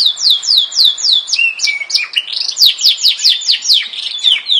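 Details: Yorkshire canary song: loud repeated descending whistled notes in quick series, a brief lower churring phrase, then more steady rhythmic swooping notes.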